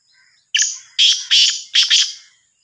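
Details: Sindhi black francolin, also called Sahiwal teetar, giving a loud, grating call. One short harsh note, a brief gap, then two paired buzzy notes and a final pair, all rasping and emphatic against a silent background.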